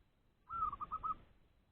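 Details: Trap-caged zebra dove calling out for a rival among nearby wild doves: a single short phrase, one longer soft coo then four rapid bubbling notes, all at a steady mid pitch.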